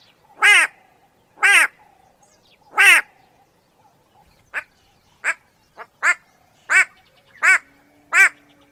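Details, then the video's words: Harsh nasal "go away" calls of a white-bellied go-away-bird, a member of the turaco family: three long bleats, then a quicker series of shorter, clipped calls. "The extremely annoying sound of the White - bellied go away- bird ."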